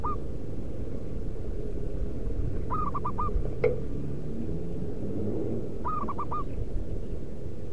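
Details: Local zebra dove lure recording for calling wild doves: three cooing phrases roughly three seconds apart, each a long note then quick short notes, with a single sharp click midway and steady low rumbling throughout.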